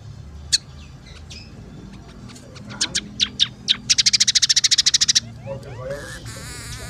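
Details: Scaly-breasted munia (emprit peking) singing actively on a song-tutor recording: scattered sharp high clicks and ticks, then a fast, even rattling trill of about fifteen notes lasting a second, followed by faint buzzy notes.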